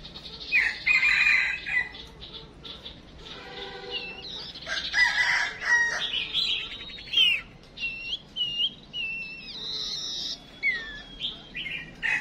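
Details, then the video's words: Decoy call of a female songbird, meant to make males sing. It has harsh broadband bursts mixed with clear sliding whistles and looping phrases, with some long held notes toward the end. "Chim Huýt Cô Mái Mồi Đấu"Thúc Chim Chuyền Hót Ra Giọng"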